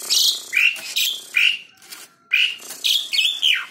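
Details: Asian pied starling, tame and singing freely, kept to provoke other birds to sing; loud whistled phrases with sharp upslurred notes and a brief pause midway before the chattering resumes.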